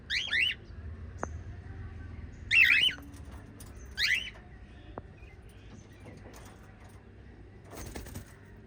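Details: Chirping white lovebirds, part of a group of five: three loud, raspy, pitch-bending chirps in the first four seconds, then quieter background with faint clicks and a low rumble.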